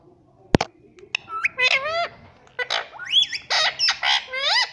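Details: Pet parrot squawking: a sharp click, then rapid bent, rising calls followed by a string of loud harsh screeches and warbling cries at an even, quick pace.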